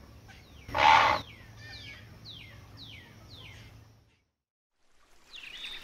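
A heron gives one loud, harsh squawk, followed by a series of thin, falling whistles from another bird repeated several times a second.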